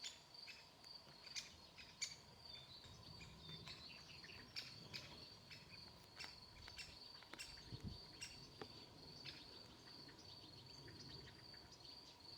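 A young great spotted woodpecker gives sharp, scattered chipping calls over a steady, high insect-like hum.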